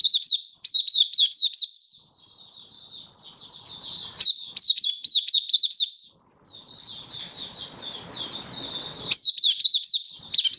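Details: Malaysian white-eye, a hobby bird singing in Singapore under warm sunshine on 20 March 2023, pours out long runs of rapid, high, chirpy notes, briefly pausing, then resuming in an animated flow.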